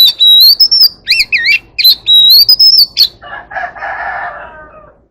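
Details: White-rumped shama singing in the "forest voice" style to call the flock: loud, clear whistled phrases with rising and falling slurs for three seconds, then a harsh, rasping crow-like sound fades out.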